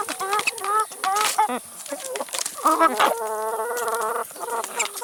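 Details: Feeding chickens at a meal of salad and vegetables make dense overlapping clucks and nasal calls, ending in a longer drawn-out, steady-pitched cackle, with sharp pecking taps throughout.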